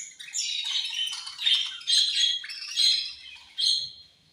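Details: Pet budgies at food time, said to be angry while eating: loud grating chirps and squawks in quick uneven pulses, rising and falling several times before fading.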